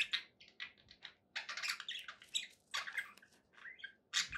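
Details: Happy pet budgerigars chattering quietly: short scratchy chirps and squeaky notes in separate bursts over a faint low background hiss.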